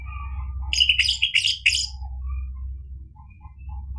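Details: Orange-headed thrush song meant to stir a bird that has stopped singing into replying. A brisk run of four rapid, scratchy, warbled phrases, followed by quiet, scattered soft notes from the background.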